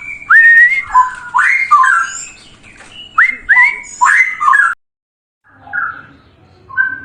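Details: Cucak rowo, the straw-headed bulbul, in training song for other birds: loud, liquid, gurgling phrases that rise and fall in quick succession, then a brief silence and softer whistled notes.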